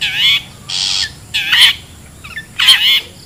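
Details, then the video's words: Wild long-tailed shrike calling, used to lure birds: four harsh, buzzy squawks, two of them ending in a wavering whistled tone, spaced about half a second apart. "SUARA ASLI PIKAT CENDET,PENTET ALAM LIAR"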